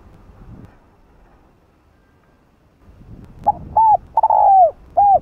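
Spotted dove cooing after a quiet start: two short, mellow notes, a longer drawn-out coo, then a final coo over faint low rumble.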